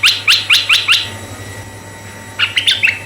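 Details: Red-eyed bulbul song used to lure other bulbuls: five fast sharp chirps, a pause, then four softer, more warbled notes, over a faint humming background.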